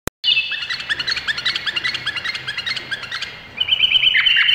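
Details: Indonesian bulbul singing a dense, fast chatter of short bubbly notes that repeat almost three times a second, with a thin steady whistle running underneath and a brighter whistled phrase at the end.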